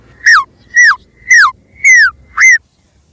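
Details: A white-rumped shama recorded as a lure gives five clear whistled notes, each sliding downward, spaced about half a second apart, over a quiet, faintly humming background.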